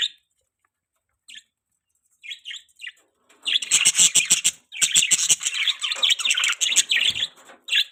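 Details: Budgerigars: a few soft isolated chirps at first, then a dense, loud run of buzzy overlapping chatter and warbling from several birds.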